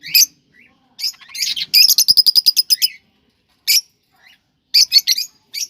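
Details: Cockatiels, kept birds, calling to stimulate breeding: loud sharp chirps, a fast rattling series of about a dozen clipped notes in the middle, then scattered single squawky calls.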